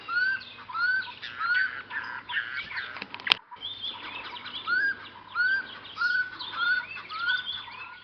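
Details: Common scimitarbills at a nest in a braai boma, Hlane Royal Game Reserve, when the first chick fledges; rapid series of short upslurred whistles and harsh chatter from several birds, with one sharp knock midway.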